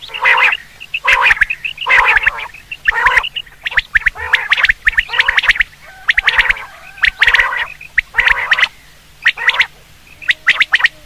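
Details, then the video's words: Long run of common quail calls for hunting: throaty, harmonic gargles mixed with rapid dry clicking notes, repeated many times without pause. "Quail sound for hunting /Batir ki Awaz"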